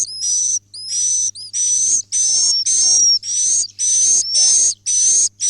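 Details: Swiftlets roosting: a steady stream of high, buzzy chirps with thin whistled overtones, repeated about twice a second with short gaps, over a faint low hum.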